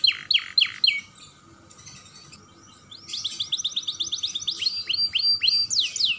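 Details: Young canary in stimulating song for other canaries: a few loud downslurred notes, a quieter softer passage, then a fast high trill followed by repeated rising whistles and sharp sweeps.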